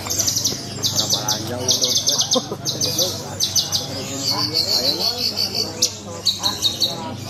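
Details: A captive Horsfield's bush lark at a songbird contest pours out a fast, unbroken stream of high, sharp chirps and trills, varied in pitch, with faint human voices murmuring underneath.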